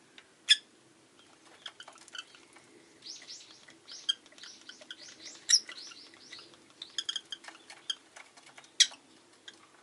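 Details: Rosy-faced lovebird with loud isolated chips and a soft warbling run of arched, whistled notes, followed by scattered clicks and chatter.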